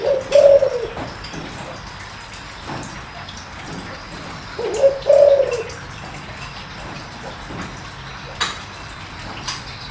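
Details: Deep-voiced spotted dove cooing as a lure for wild doves. Two phrases about five seconds apart, each a short hoot followed by a longer, slightly wavering coo. Quiet clicks and a soft background hiss.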